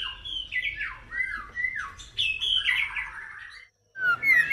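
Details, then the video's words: Female White-rumped shama, first plumage, producing harsh, buzzy, descending slurred phrases run together over steady low background hum, a brief silence, then renewed rasping notes. "เสียงนกกางเขนดง หรือบินหลาดง"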